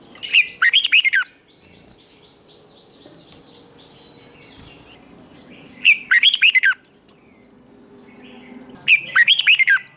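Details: Red-whiskered bulbul singing during training for competition singing, in the twisting-voice style: three short bursts of rich warbled and whistled notes at roughly three-second gaps, with quiet pauses between and faint background noise.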